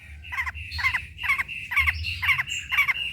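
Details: Long-tailed shrike recording meant to coax reluctant shrikes into singing and to train them: harsh, scratchy squawked phrases repeated about twice a second, each a buzzy burst with a rising overtone, over a low steady hum.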